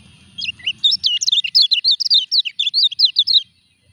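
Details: Caged kecial kuning singing while moulting its feathers: a rapid run of high, sharp chirps and twittering notes, about three seconds long, with a low rumble at the start.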